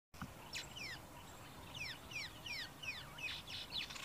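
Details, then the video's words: Male Southern Masked Weaver singing in the early morning: a busy run of quick, high, down-slurred swizzling notes and chatter repeated in short bursts, with faint background hiss. "Southern Masked Weaver male singing"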